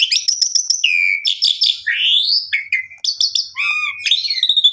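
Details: Energetic song of an Asian pied starling for triggering a mute bird: repeated chipping notes, long rising whistled slur, flat whistles and quick chatter, delivered almost without pause.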